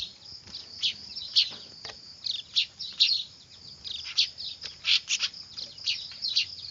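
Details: Begging-like noisy weaver chicks, a call used as a lure: high, shrill chirps, scattered at first, then crowding into fast clusters toward the end.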